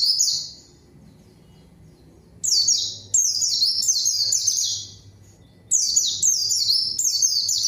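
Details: Pleci (zosterops) lure song meant to provoke a rival and get quiet birds singing: high-pitched twittering phrases of quick falling notes, arriving in three bursts after a silent gap, over a soft low hum.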